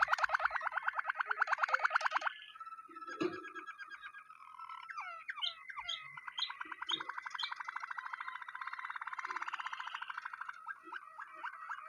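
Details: Waterslager canary singing low, bubbling rolled trills with gurgling, water-like pulses, broken by short knocking and slurred notes before long even rolls resume.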